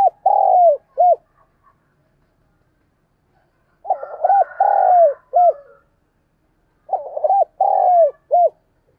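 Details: Spotted dove used as a decoy bird, calling and cooing at daybreak. Three phrases of soft, hollow coos are each made of three or four notes, with a long swelling note followed by shorter dropping ones. Long silent gaps separate the phrases.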